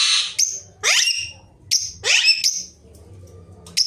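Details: Ringneck parrot, a talking pet, makes shrill screeches with quickly falling strokes, three main bursts roughly a second apart, plus short squeaks between them.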